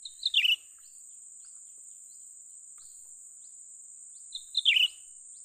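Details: Young cucak ranting bulbul calling during bird trapping: two bright, slurred notes that drop sharply from high to mid pitch, about four seconds apart. Faint soft ticks sound between them over a steady high hiss.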